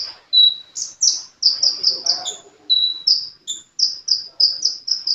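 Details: Sunbird (kolibri) singing actively, delivering a rapid, steady series of bright, very high chirped notes interspersed with level whistles and a few thin double-pitched squeaks, with almost no pause for five seconds.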